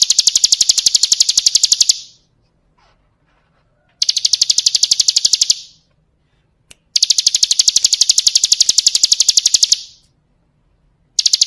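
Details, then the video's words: Bar-winged prinia song of the 'kristal' style, a tutor recording for song training: a regular cycle of rapid, high, rattled trills lasting about two seconds each, alternating with short silences, plus one isolated click. "Masteran Suara Burung Ciblek Kristal"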